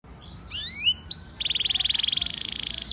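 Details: Caged canary song used to coax a silent canary into singing: brief high whistled upslurs, then a fast even trill of rapid repeated notes around mid-high pitch, with faint background hiss.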